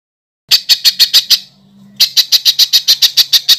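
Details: Master song for competition birds: two runs of loud, high, harsh notes repeated about six times a second, separated by a short pause. A faint low hum sounds underneath.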